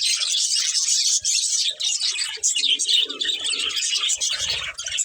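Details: Dense high budgerigar chirping and warbling, with a lower hollow murmuring sound joining in the second half.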